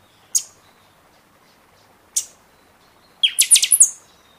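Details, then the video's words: Song of a kept buffy-fronted seedeater, played to excite birds following feather moult: two brief piercing chips spaced apart, then a quick sequence of loud, high, ringing whistled notes finishing on a sustained thin tone. "Pixoxó cantando muito na temporada"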